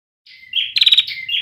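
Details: Young bar-winged prinia with song not yet fully developed: a short sequence of thin whistled notes around high pitch, a sharp downward slur, then a rapid buzzy trill of pulsed notes and a closing whistled phrase.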